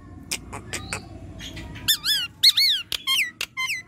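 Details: Nias hill myna, a lively and vocal bird, indoors: soft clicks and knocks, then loud wavering whistled notes with rich harmonics that dip and rise, separated by sharp clicks.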